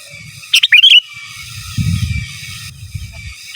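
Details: Sooty-headed bulbul song in 'gacor giras' and 'menggaruda' style, meant as a master recording for teaching birds: one quick cluster of liquid whistled notes, then quiet low rumble, with another phrase just beginning at the end.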